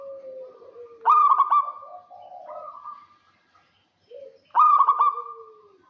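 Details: Local zebra dove in rattling kerot voice, calling to bait a rival: two strong bursts of quick, throaty pulsed coos separated by softer, lower cooing phrases and a brief silence.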